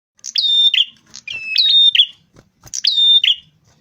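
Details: Rufous-fronted prinia song recorded as a lure to attract birds. Loud, clear high whistled phrases with buzzy ends, repeated in three bursts separated by short pauses, against a silent background.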